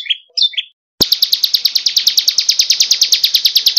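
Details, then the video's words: Ciblek kristal, or bar-winged prinia, on a songbird tutor recording: two high chirps sliding down, a short silence, then a fast, even stream of bright ticking notes. "Masteran super mewah ciblek kristal"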